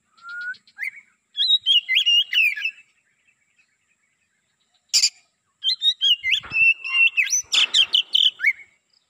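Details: Black-breasted Oriental magpie-robin used as a lure to attract wild magpie-robins sings rich varied whistled phrases with quick slurred notes and buzzy trills, in two bursts separated by a sharp clack.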